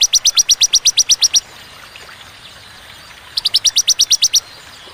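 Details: Ciwah cigun bar-winged prinia giving pauses between sharp, clear 'tembakan' bursts. Two short trills of about ten slightly slower, bright high notes each are divided by a quiet gap of nearly two seconds.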